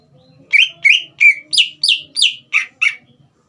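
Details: Caged green leafbird in full song, used to provoke a young bird into singing: eight loud, slurred whistled notes, each dropping and then levelling, about three per second, over a quiet background.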